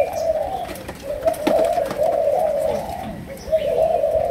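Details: Low, rolling coos from a Malaysian spotted dove in the 'sấm đồng' cooing style, with a brief dip near one second and another near three seconds. Few other sounds are heard.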